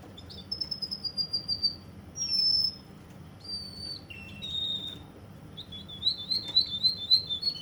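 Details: Russian canary from Kuwait in song: separate drawn-out whistles at varied pitches, a short low phrase, then a fast rising-falling trill near the end.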